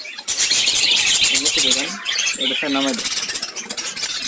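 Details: Several colourful lovebirds chirping together: a dense, continuous stream of shrill, rapid high chirps and squeaks throughout, with a lower, harmonic, voice-like sound breaking in around the middle.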